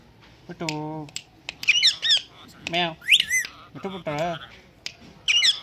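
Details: Pet Indian green ringneck parakeet known for talking, meowing and whistling. It gives a harsh buzzy squawk, then rapid wavering whistled notes and repeated nasal chattering bursts, indoors.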